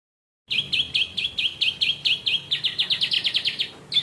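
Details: Yellow Bon canary singing in a Ciblek-style voice. After a short silence comes a fast series of bright, high chipping notes, about three per second. These speed into a tighter rattling trill near the end.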